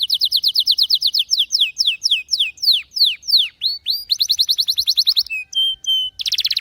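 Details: Singing canary delivering rapid rolling trills of sharp descending whistles that slow and stretch, then quicken again into a dense high tour, with brief pure held notes and a final buzzy burst.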